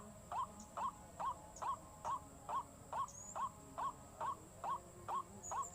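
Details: White-breasted waterhen calling in a very regular rhythm: short upslurred notes about two per second, used as a lure sound, with constant background hiss.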